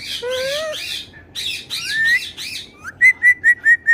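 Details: Pet parrot talking and whistling: a wavering voice-like phrase and raspy squawks, then a rising whistle and a run of five short, clear, evenly spaced chirped whistles near the end.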